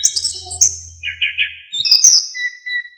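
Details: Orange-headed thrush song recorded for teaching songbirds, in a lively, full-phrased style. High warbling notes, a buzzy middle phrase and a thin whistle at the end, over a low steady hum.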